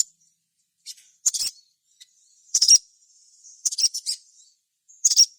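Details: Sogon gacor song meant to draw other sogon into singing. Brief clusters of high, thin chirps arrive about every second or so, separated by near silence.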